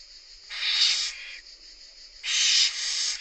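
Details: Barn owl nestlings hissing to beg as the mother brings food: two long, loud, breathy snoring hisses, each lasting over half a second, separated by a quieter gap.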